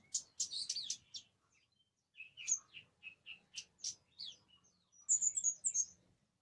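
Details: Orange-headed thrush song mixing dense chattering bursts, a series of separate whistled notes, and a closing run of bright high trilled phrases.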